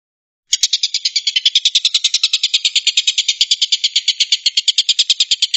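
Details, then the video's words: Long-tailed shrike delivering a 'tembakan' song, a fast, steady burst of grating, buzzy notes repeated roughly seven times a second for about five seconds without pause, starting suddenly after silence; nothing else audible. "kicau tembakan burung tengkek buto"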